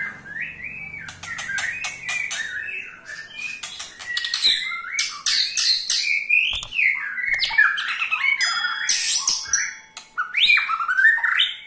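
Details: White-rumped shama giving its ketrekan, a call meant to get other shamas singing: sharp rattling clicks in rapid bursts mixed with bright, varied whistled phrases that rise and fall, continuing throughout.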